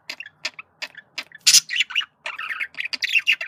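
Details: Male budgerigar giving communication calls: a few soft clicks, then a sharp loud squawk followed by grating, buzzy warbling with squeaky whistled chirps toward the end.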